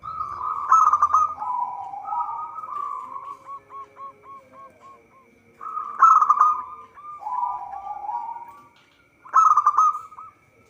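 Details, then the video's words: Song of a local zebra dove, used as a lure for trapping: loud stuttered opening bursts, then rolling cooing trills and a string of evenly spaced short hooked coos, the whole phrase repeating about every four to five seconds; faint steady hum. "Perkutut lokal gacor suara cocok untuk pancingan."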